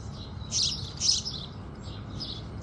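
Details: Sunrise singing of house sparrows: two loud, bright chirps close together, then softer chirps trailing off, with a gentle low hum beneath.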